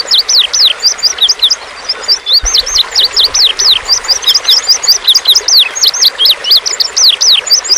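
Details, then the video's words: Indigo bunting song used as a training lure for cage birds: a dense, rapid run of high, sharp down-slurred chirps and paired notes, repeating almost without pause, with faint low background noise. "masteran kicau pancing indigo bunting"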